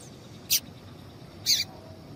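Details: Calls of a female double-collared seedeater, played to get males singing; two short, bright, high chips about a second apart over soft background noise.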